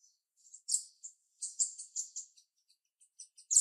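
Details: Female jalak rio-rio starling with a sharp voice, delivering scratchy, buzzy high chirps in uneven clusters, with softer scattered notes and a loud burst closing the phrase.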